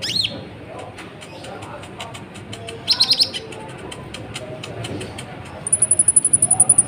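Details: Sunbird singing vigorously, used as a lure recording to provoke other birds: scattered high thin chirps, then a fast, even trill of sharp very high notes near the end over a low background hiss.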